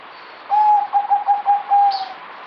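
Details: Zebra dove (merbok), a kept bird fed multivitamins, recorded 2020, delivers a dominant rippling phrase of five or six short, even-pitched coo notes over about one and a half seconds, then a brief high chirp from another bird.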